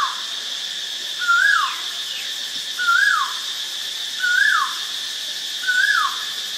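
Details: Four ringing whistles from a White-vented myna, Ubon Ratchathani, Thailand, recorded 8 March 2022. Each holds a flat tone, swings upward, then drops steeply, repeating every 1.5 seconds against continuous shrill insect hum.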